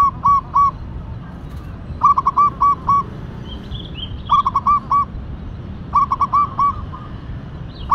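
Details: Vocal local zebra dove, Tumbak Cucukan katuranggan type, singing rhythmic phrases of three to four clipped cooing notes roughly every two seconds, against faint background hum and a soft chirp from another bird.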